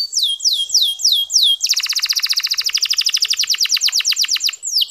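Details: Canary producing clear, long-running song used to encourage male canaries to sing; several slow upward-curving whistles lead into a dense, rapid trill of short descending chirps, closing with another swooping note.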